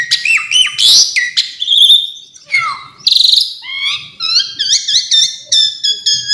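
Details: Song of an Asian pied starling rich in fill-in variations: scratchy buzzes and slurred whistles, then a rapid series of short upslurred chirps repeated in an even rhythm.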